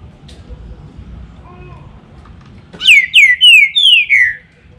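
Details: Green-winged saltator singing a loud, rich phrase of five clear whistled notes, each one slurring downward, delivered in quick succession over about a second and a half against a quiet background.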